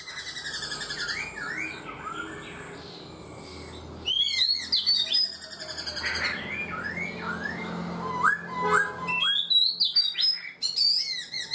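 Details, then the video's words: Black-throated laughingthrush, caged for four months and in training, singing varied loud whistled phrases. Notes slide up and down and some end in sharp upward flicks. Bursts of higher chirps come in after a quieter opening. The sound is indoor-like, with low background hum. "Khướu bạc má 4 tháng lồng, người rài giọng cực hay"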